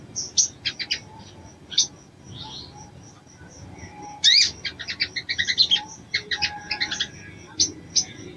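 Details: Crimson sunbird female calling a male to stimulate him, giving spaced thin high chips and squeaks, then a denser burst of rapid twittering chips in the second half, with soft ambient hum below.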